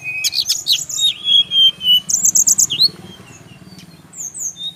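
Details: Brown-chested jungle flycatcher from Bali, a song that other birds of its kind are said to answer at once: high chirps, then long clear whistles sliding down, followed by a buzzy trill and a few thin notes.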